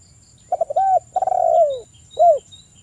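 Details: Rival-calling spotted dove of 'kuk 1' style, with local males answering. Quick stutter notes, a steady coo, a long pulsed coo slurring downward, then one short rounded note. Soft high chirping sounds behind it.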